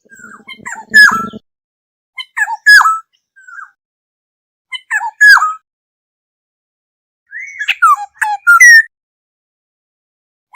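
Black-hooded oriole: short bursts of liquid whistles mixed with harsher, nasal notes, repeated every two to three seconds, with a faint buzz at the start.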